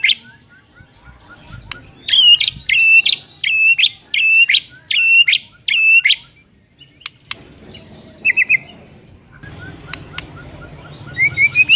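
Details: White-rumped shama song used to stir a rival shama to sing: a run of loud, evenly spaced buzzy notes with sharp clicks, then quieter scattered chips, a short trill and a rising whistle over low background rumble.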